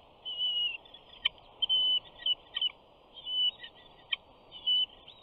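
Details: Bald eagle eaglet, 68 days old, on a Big Bear nest on 21 June 2019, vocalizing while a parent flies in with fish: clear, high whistled whines, about six drawn-out notes with short clicks between, over faint hiss.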